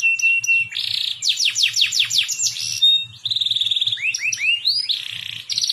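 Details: Canary song used as a lure to teach young canaries to sing: a bright, high, steady whistle, then fast descending sweeping trills, a buzzy rattling roll, and rising looped notes, with faint low thumps beneath.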